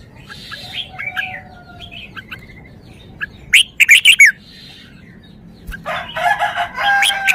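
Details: A red-whiskered bulbul shows off its song repertoire: scattered whistled notes, then a loud burst of sharp rapid chirps near the middle, and later a rich warbling phrase with many overlapping notes, over a low background hum.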